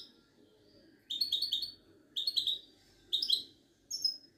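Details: Caged goldfinch of the Moroccan Widani line, from a Casablanca bird market, singing short bursts of rapid jangling chirps about once a second, the last phrase a thin clear whistle, with soft background hum.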